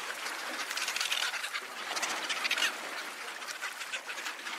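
Cape petrels give harsh, rapid cackling chatter, with many overlapping grating notes running together without pause.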